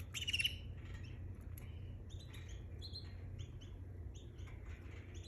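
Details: Canary singing: a loud bright trill at the start, then a series of short high chirps and clipped whistled notes at varied pitches, over steady low background hum.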